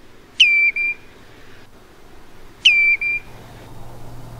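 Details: Common Redshank call: two drawn-out, melancholic whistled calls about two seconds apart, notes slurred into one another, each slightly falling then a shorter note, the call behind its Dutch name tureluur; soft background hum.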